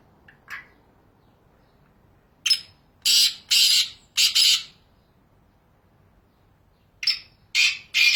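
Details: Wild black francolin in natural habitat in Pakistan, giving harsh grating bursts in quick groups of two to three, pausing a few seconds between groups, against a quiet background.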